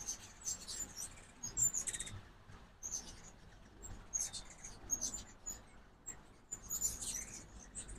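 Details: Ruby-throated hummingbirds in fall migration visit a backyard feeder one morning in Oxford, Mississippi, giving thin squeaky chips and short twittering bursts every second or so against soft background noise.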